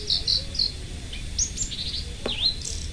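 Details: Local Indonesian lark, kept as a loud, lively singer, giving short high whistled notes and upswept slurs in a quick irregular string, with faint low hum behind.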